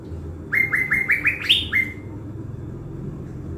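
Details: Blue-winged leafbird, a caged decoy bird in Bình Thuận, Vietnam, being readied for the forest. It sings a fast run of about six clear, upslurred whistles, each climbing a little higher, ending in a long flat note. A faint low rumble sits behind it.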